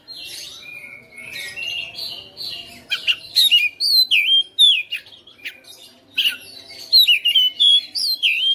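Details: Caged Oriental magpie-robin bred at home, in a persistent fighter style, unloading its repertoire. A quieter warbled opening gives way to loud, evenly spaced whistled phrases, each sliding down then up, repeated many times.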